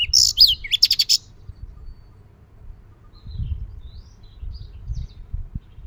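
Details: A quick burst of bright, high sparrow chirps in the morning, in the first second, then near silence over a soft low rumble.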